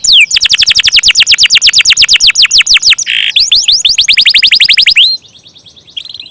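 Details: Canary singing a long rolling song: a fast train of high, descending whistled notes repeated about three times a second, a brief buzzy burst midway, more rapid sweeps, then fading to faint high notes.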